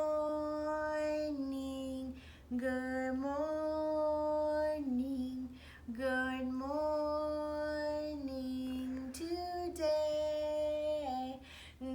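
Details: A woman or child sings a slow, sustained melody with no animal sound present.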